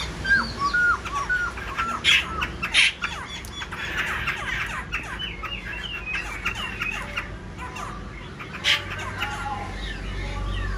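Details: Black-throated laughingthrush, a kept songbird, singing while fanning its wings and tail; short whistled and chirping phrases tumble over one another, with a few harsh squawks and a low background hum.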